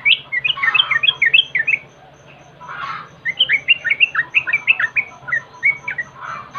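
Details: Yellow-vented bulbul lure sound to prompt birds to sing: an energetic burst of tumbling chirps, a short pause broken by a rough note, then a second fast run of slurred, bouncing chirps, with a low electrical hum throughout.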